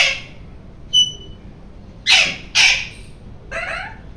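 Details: Loud screaming from a rose-ringed parakeet: harsh broad screeches in quick pairs, a short pure whistled note, and a softer rasping call at the end, with constant background hiss.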